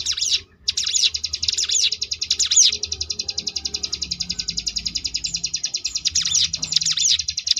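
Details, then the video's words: Ciblek gunung (Sunda bush warbler) in ngebrem variation song used to train competition birds: after a brief gap, swooping loops lead into a long quick-pulsed buzzy trill, and looping notes return near the close. "cigun ngebrem variasi"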